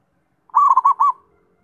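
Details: Single phrase of zebra dove song, a fast trilled series of four rounded, cooing notes lasting under a second, clean and close.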